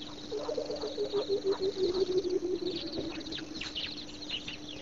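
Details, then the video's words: Coucal singing at Pete's Pond on 22 October 2006: a quick run of low, hollow, bubbling hoots that slowly fall in pitch, over high chattering birds and a steady low hum. "Coucal Singing"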